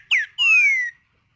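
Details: Green-winged saltator in nature singing the tempera viola song type: a short sharp downslurred whistle followed by a longer clear whistled note sliding gently downward, loud and clean against silence.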